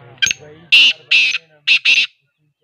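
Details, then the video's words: Partridge giving a series of loud, rasping, buzzy notes, four main bursts in quick pairs after a brief opening sound, ending abruptly in silence. "TEETAR AWAAZ"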